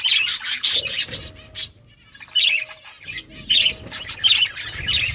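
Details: Budgerigars chirping as they eat, with bursts of quick high chirps and chatter broken by a brief quiet pause, plus pecking clicks.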